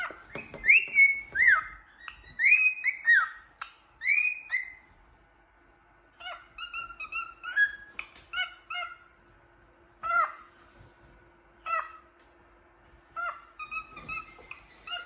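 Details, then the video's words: Happy cockatiel whistling and singing at a mirror: loud downward-curving whistled phrases repeated several times, then a run of short chirpy notes and quick whistles in irregular bursts, indoors with faint background hum. "Happy Cockatiel looking in the mirror whistling and singing happily"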